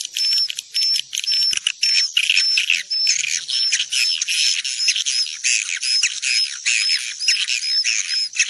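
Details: Swiftlets, roost-lure call played to draw them into a building: dense buzzy, twittering chatter throughout, with short bright whistled notes repeating about every half second above it.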